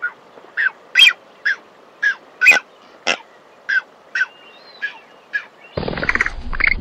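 Blue-footed Booby giving a quick series of about a dozen short, nasal, honking notes, roughly two per second, ending in a brief burst of rough noise.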